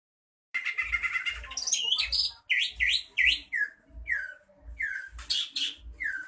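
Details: Greater green leafbird from Bojonegoro undergoing mental training, singing a rapid, varied run of sharp whistled notes, slurred rising and falling phrases and harsh chatters, with soft low thumps repeating underneath.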